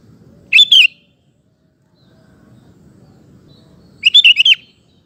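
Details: Sooty-headed bulbul singing as a lure for other males: a two-note slurred whistle, a pause, then a longer bubbling phrase of about four quick warbled notes.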